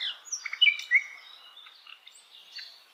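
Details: ['In wild forest, a flycatcher gives a soft, brief phrase of thin, high whistles and a few sharper slurred notes, fading into quieter high twitters.']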